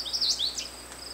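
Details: Brief fragment of American goldfinch song: two or three high swept whistles, one falling then rising, over a steady insect drone.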